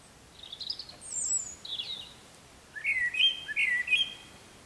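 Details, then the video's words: Blackbird singing in early morning darkness, a European robin audible behind it: thin, high, sibilant robin-like notes first, then the blackbird's fluted, warbling phrase sliding through several tones and ending in a squeaky flourish. "Mustarastas laulaa aamulla ja taustalla laulaa punarinta"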